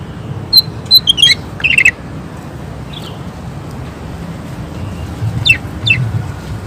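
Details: Greater green leafbird (cucak ijo) singing vigorously in rapid-fire bursts: short clusters of sharp, high chirps and quick down-slurred notes early on, a pause, then another brief burst of chirps, over a steady low rumble like traffic.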